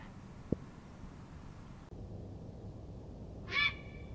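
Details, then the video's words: Wild grey heron, a winter visitor in Palestine's countryside: one short, rasping, nasal croak near the end, after a quiet stretch with a single sharp click and low background rumble. "صوت مالك الحزين الزركي البلشون الرمادي Grey heron sound Héron cendré Garza real"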